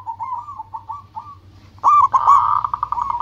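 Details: Zebra dove of local stock singing to attract rivals: a quiet series of soft rolling coos, then a loud burst of clipped notes leading into a long, fast, pulsing trill.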